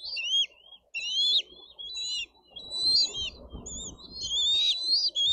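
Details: Eaglets of the bald eagle at a Dade County nest, screaming during a squabble over food; broken strings of high, wavering whistled squeals, with rustling and low noise in the second half.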